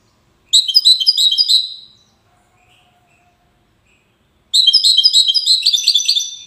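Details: European goldfinch from Safi, Morocco, wedani style: a quick tumbling burst of bright twittering notes stops sharply, a faint thin hum fills the pause of over two seconds, then a second energetic chattering phrase follows.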